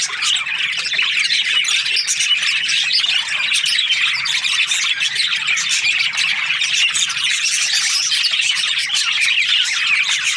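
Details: Australian budgerigars in breeding pairs keep up a steady, crowded chatter of high chirps, squeaks and harsh squawks, overlapping without pause for ten seconds.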